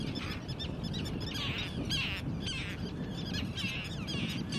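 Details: Arctic tern family of four, outdoors: several harsh, grating calls overlapping in quick succession, partly masked by strong low wind rumble.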